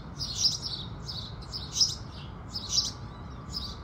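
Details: House sparrows chirping at sunrise in the morning: bright, buzzy chirp bursts roughly once a second, some bursts doubled, over a soft low background rumble.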